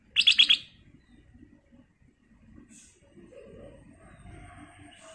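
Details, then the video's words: Rapid run of four loud, ringing notes from a black-crested bulbul lure song, followed by quiet with faint low background sounds. "KUTILANG EMAS GACOR suara Kristal Jernih, Pancingan Kutilang Emas"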